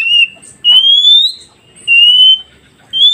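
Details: Whistling of an oriental magpie-robin, used to prompt newly trapped forest birds to reply: pure level notes alternate with longer rising notes in a slow, evenly spaced series.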